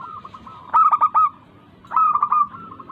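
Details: Zebra dove lure recording to stimulate reluctant local doves to sing: two short phrases of three to four punchy coos about a second apart, faint cooing running underneath.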